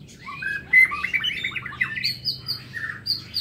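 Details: In an aviary at morning, a White-rumped shama pours out a fast, jumbled sequence of bright whistles and slurred notes, followed by a few higher drawn-out whistles.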